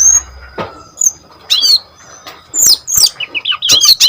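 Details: Singing brown-chested jungle flycatcher, played as a lure and tutor for other birds of its kind; quiet opening with faint notes, then loud bursts of high twittering and a quick run of warbled, looping whistles near the end.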